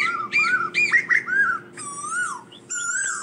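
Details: Asian koel calling to its flock: loud whistled notes around the same pitch, slurred and falling at their ends, with short sharper notes between them and a steady low hum underneath.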